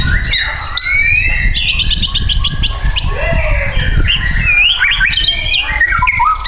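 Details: Caged White-rumped shama for sale in Tangerang Selatan, Indonesia, giving loud rising whistles, a fast dry clicking trill and sweeping upslurred notes over steady low rumbling background noise.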